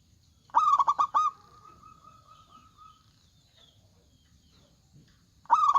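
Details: Zebra dove (local perkutut) singing loudly as a lure. A burst of four fast coos runs into a long, fading, level purr. Quiet follows until a new burst begins at the end.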